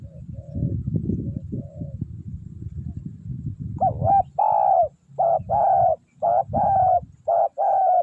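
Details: Spotted dove used to lure wild doves. Low rumbling noise and faint coos come first, then clear repeated paired coos with a hooked first note and a longer rolling second.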